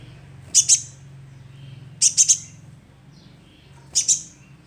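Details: Lure recording of a young sunbird: three short bursts of two or three sharp, very high chirps about every one and a half seconds against a quiet background.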